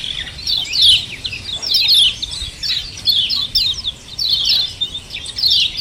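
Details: Repeated "ciak ciak" chattering of common iora, meant as a lure to provoke other birds to sing: clustered bursts of shrill, scratchy chirps about once a second, with a steady hiss underneath.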